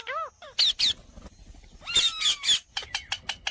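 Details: Indian parrot giving rapid harsh squawks and screeches with a drawn-out falling whistle, in quick succession.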